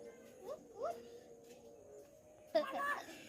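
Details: Common hill myna talking, imitating human speech: two short rising whistled syllables, a long pause, then a louder burst of harsh, speech-like syllables, over a quiet indoor background with a faint steady hum.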